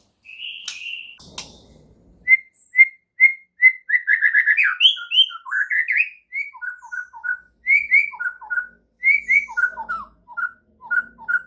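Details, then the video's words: Morning training song of a white-rumped shama, meant to make other shamas sing: a long varied run of crisp whistled notes, rising slurs and rapid repeated phrases after an opening sharp snap. "MASTERAN Murai Batu PAGI INI mampu buat Murai Batu MACET TOTAL jadi GACOR NGAMUK seketika"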